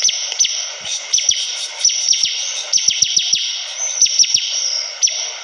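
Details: Bar-winged prinia singing persistently: clustered high chirps with crisp clicks and falling slurs in short groups, over a steady high-pitched hiss.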